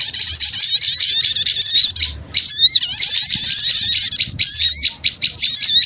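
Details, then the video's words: Bird-luring sound of small birds in a noisy mass: shrill twittering and squeaky whistled slurs overlap densely, with a quieter lull around the middle before the chatter resumes. "Suara Pikat Burung Kecil Ribut"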